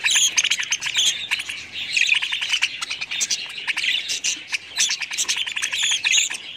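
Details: A group of budgerigars chattering nonstop: dense, rapid, high-pitched chirps, clicks and warbled squeaks overlapping in quick bursts with brief lulls.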